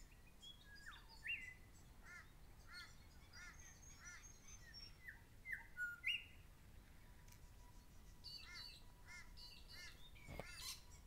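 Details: Grey shrike-thrush calling in alarm at a person too close to its nest, 10 October 2012; sharp, short chirped notes repeated several times a second in uneven series, with fainter higher chirps and a brief loud rustle near the end.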